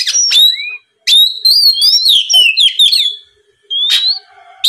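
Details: Oriental magpie-robin singing in ngeplong style as a lure for rival males: a sharp opening whistle, then a flowing run of high melodious notes, a pause, and a final rising whistle.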